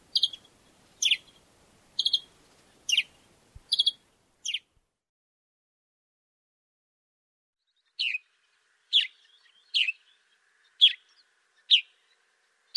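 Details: Sparrow, Africa: bursts of sharp descending chirps, several in quick succession, then a pause of about three seconds before another run of single chirps at roughly one-second intervals.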